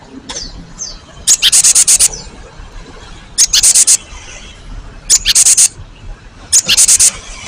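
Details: Lure recording of a cinereous tit meant to draw replies from both old and young birds: four bursts of five or six quick, piercing, high notes, repeated every one and a half to two seconds, with faint background hiss.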